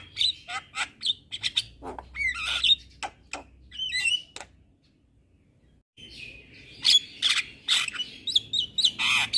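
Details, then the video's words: Asian pied starling song meant for training kept birds: a jumble of quick chirps, squawky rasps and whistles, a brief silence midway, then a dense burst of buzzy, chattering notes. "Masteran Jalak Kebo Ini |Masteran Jalak gacor"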